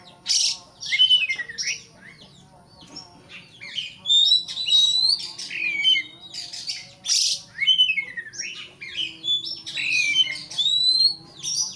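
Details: Oriental magpie-robin singing to provoke a rival: rich, continuous phrases mixing high piercing whistles, downward slurs and harsh rasps in quick succession.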